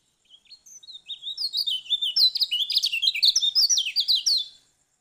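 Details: Lombok lemon-bellied white-eye singing a fast, high twittering warble, about two notes a second at first, quickly becoming a dense stream of bright rising and falling slurred whistles before stopping abruptly.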